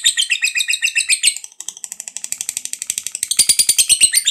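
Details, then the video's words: Lovebird of fighter type performing ngekek panjang, a long chattering song used to spur other lovebirds into singing: very rapid high rasping notes, pitch shifting midway, then growing louder and harsher near the end. "Pancingan Lovebird Ngekek Panjang SUPER FIGHTER"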